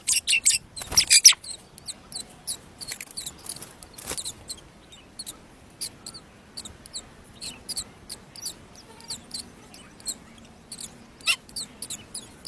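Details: Nestling mynas at feeding time in the nest, giving short, very high, scratchy squeaks repeated steadily throughout, with one louder, denser flurry near the start.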